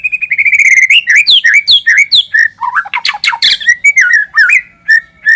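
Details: White-rumped shama song for luring birds: a long, rich run of varied whistles, slurred up-and-down notes and scratchy harsh sounds, delivered rapidly and almost without pause, ending in a few spaced whistled notes.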